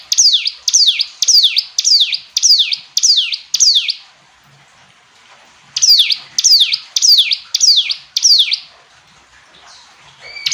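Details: Hill prinia song: a fast series of sharp, high notes, each sweeping steeply downward, given about twice a second in two bursts separated by a short silence. A faint higher whistle is heard at the end.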